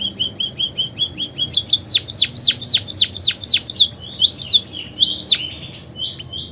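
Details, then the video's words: Munia singing a song filled with canary imitations: a run of short high notes, then a fast series of sharply down-sweeping whistled strokes repeated about twice a second, ending in scattered chirps. "Burung PIPIT Full isian KENARI"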